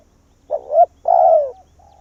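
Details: Vietnamese decoy spotted dove calling to bring wild doves in. There is a single phrase: a quick, rising two-part coo, then a long, smooth coo sliding downward. A faint flat coo follows at the end, over a low hum.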